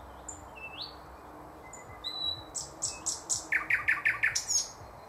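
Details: Thrush nightingale singing, 2024: thin high whistles, one sliding upward, then a rapid series of about a dozen loud clicking, rattling notes, each doubled with a lower tone, building in volume.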